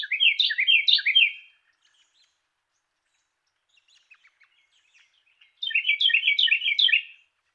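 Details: Carolina wren singing clearly in a recording for training songbirds: a fast rolling series of repeated whistled phrases, a pause with soft scattered chips, then another matching burst of repeated phrases.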